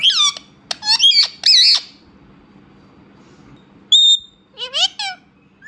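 An Indian ringneck parrot talks in high, nasal, speech-like phrases: three quick bursts, a sharp single note, then one more short phrase, over a faint low hum.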